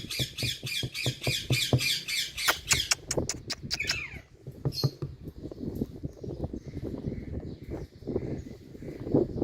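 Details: Indian parrot mimicking dripping water: a fast, steady series of sharp dry clicks for about four seconds, then softer scattered clicks and a few faint hoarse notes over background rustle.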